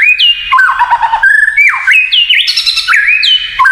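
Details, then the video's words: White-rumped shama in kretekan song, reputed to make other shamas agitated: loud, rich run of warbled and trilled whistles, with sharp upslurs, dips and quick note changes filling the whole stretch. "SUARA KRETEKAN MURAI INI TERLALU BAHAYA BIKIN MURAI LAIN IKUT EMOSI"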